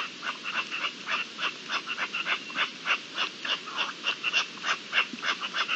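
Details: Partridges during mating season on 27 April 2021 deliver a brisk, fairly regular series of grating chuck calls, around three to four per second, sustained throughout over low background hiss.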